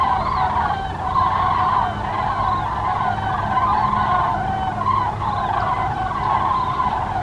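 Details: Common cranes (Grus grus) call in a steady chorus of loud, overlapping trumpeting notes, rolling and bugling without pause, with a low rumble underneath.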